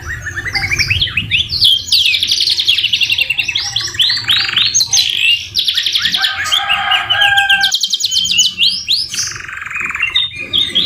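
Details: Canary song rich in white-rumped shama (murai batu) fill, recorded as masteran material: a continuous flow of fast rattling trills, swooping whistles and buzzy rolls, changing phrase every second or two with no pauses.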